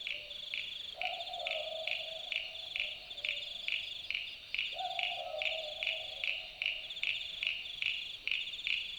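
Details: Australian Boobook owl calling at night in the Australian bush, giving two low hooted two-note 'boo-book' calls about four seconds apart, the second note dropping lower, beneath loud, steady pulsing insect chirps repeated several times each second.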